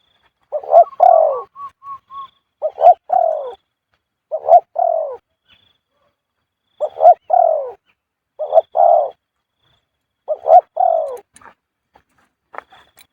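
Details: Male spotted dove in Thailand, still cooing after being handled, feathers ruffled: low mellow coo phrases, each a quick run of two or three soft notes, repeated about every two seconds with short silent pauses.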